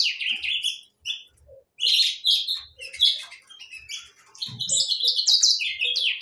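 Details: Several saffron finches sing in bursts of bright chirps and slurred whistles, separated by brief pauses, the phrases growing busier and higher near the end, with soft low taps and a short thump midway.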